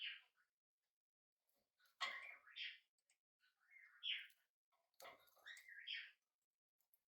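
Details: Hand-reared budgerigar chick, tame, first day at home indoors: grouped chirps and chattering warbles, some rising to squeaky peaks, coming in bursts about every two seconds with faint clicks between.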